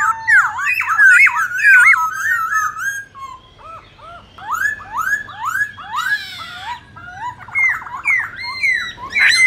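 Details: Competition song of a white-browed laughingthrush, many-voiced and used to stimulate other birds: loud fluting whistles, quick looping slurs, a harsh rasping burst near the middle, and fast trilled notes toward the end.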